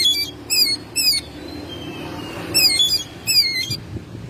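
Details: Oriental magpie-robin kept at home, singing energetically in May: loud sharp chattering bursts come in separate clusters with short gaps between them, over a soft steady background hum.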